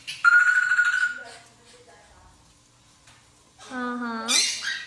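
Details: Pet umbrella cockatoo, female, excited, gives a loud, sustained whistled squawk, then a harsher rising screech, with a woman's voice murmuring between the calls.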